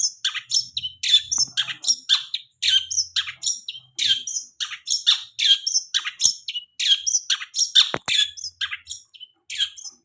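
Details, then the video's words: Long-tailed shrike singing, a lure recording for shrikes finishing their moult: loud, continuous stream of rasping, chirping syllables and quick buzzy phrases, almost without pause, one sharp click near the end. "Pancingan cendet habis mabung pasti bunyi"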